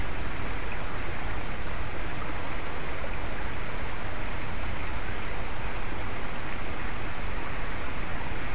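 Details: Only a loud, unbroken rushing hiss, like wind or flowing water, is heard from start to end, with no animal calls.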